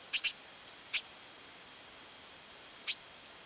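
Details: Bald eagle at Fraser Point on 24 March 2019, around eight in the evening: a few short, high, thin piping notes, first a quick pair, then two single chirps spaced about a second or two apart, over a quiet steady background hiss.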